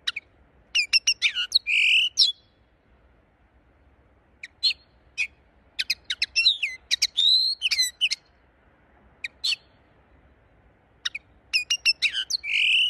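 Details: Linnet song in repeated bouts: quick strings of high chirps mixed with buzzy warbled notes and brief trills, separated by short pauses, over a quiet background.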